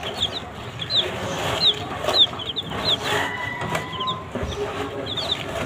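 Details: Chicks feeding on green leaves give sparse, high falling peeps at irregular intervals, with a faint steady whistle-like tone and low background noise in between.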